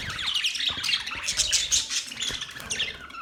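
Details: Budgies chirping in a bright, continuous jumble of high twittering and squeaky notes with short rising and falling slurs.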